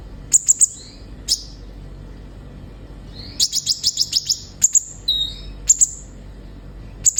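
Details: Singing olive-backed sunbird for prompting caged birds: scattered very high chips, then a fast rattling run of about eight sharp notes, a thin whistle and more spaced chirps.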